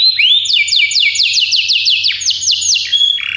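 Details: Belgian canary singing on a canary training recording, a fast rolling series of downward-slurred whistled notes repeated several times a second, ending in a lower buzzy trill, over a faint low hum.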